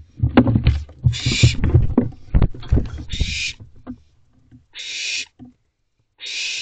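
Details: Barn owls squabble over a mouse inside an owl box at 4:20 am on June 14, 2023: harsh, hissing screeches about half a second long, mixed with heavy thumps and scuffling.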